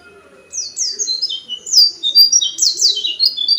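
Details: Kept oriental white-eye, a small yellow bird with a loud, distinctive voice, singing in short bursts: quick, high, sweet whistled notes slurring downward, tumbling in rapid overlapping phrases.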